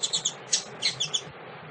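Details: Female double-collared seedeater, calling to stimulate males, utters a short burst of high twittering notes, about eight quick chips of varying pitch within under two seconds.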